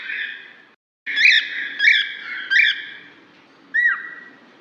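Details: A cockatiel calling to another, used to attract a lost cockatiel: loud, shrill whistled contact calls, three in quick succession under a second apart, then a final drooping call after a pause.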